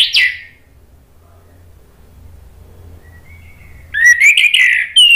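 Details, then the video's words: Orange-headed thrush song meant to provoke answering rivals: a brief loud whistled note at the start, long silence with low hum, then a jumbled burst of warbled, slurred whistles near the end. "PANCINGAN ANIS MERAH NGEPLONG MEMANCING lawan jadi NYAUT BUNYI GACOR"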